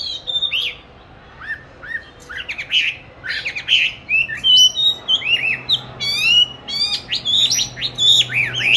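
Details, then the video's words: Caged oriental magpie-robin in song training, recorded 22 March 2021; spaced whistled phrases that grow busier, mixing rising sweeps and sharp high notes, with a faint low hum behind. "con than chuyền nuôi 29-7-2020(clip quay 22-3-2021) treo chỗ lý tưởng luyện hót"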